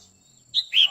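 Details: Female red-whiskered bulbul singing to stir a male, its 'quých kiu' call: two quick clear notes, a sharp high chirp followed by a slightly lower, longer whistled note.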